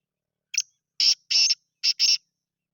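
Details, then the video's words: Sindhi grey francolin noted for its chakri-style calling at 270 calls a minute: a sharp opening note, then two paired bursts of loud, grating, high-pitched syllables with no other sounds. "Aik mint ki 270 awaz + chakri wala teetar"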